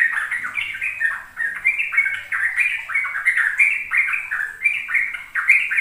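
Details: Sooty-headed bulbul singing a fast rolling song meant to teach young caged birds: an unbroken stream of bubbling, warbled notes in quick succession, pulsing in short surges, over a faint high background hiss.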